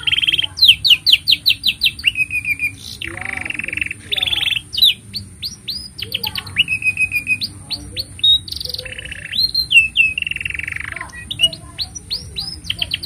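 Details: Long continuous canary song, meant as a master recording for tutoring young canaries and provoking silent ones: bursts of rapid chips, buzzy rattles and sweeping whistles repeated in shifting phrases, with a constant low hum behind.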